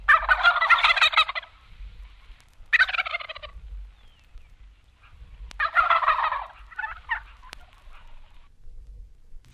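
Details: Wild Turkey from eastern and central North America gobbling: three loud, rapid, rattling bursts a few seconds apart, each fading quickly, with a softer trailing gobble and a faint low hum behind.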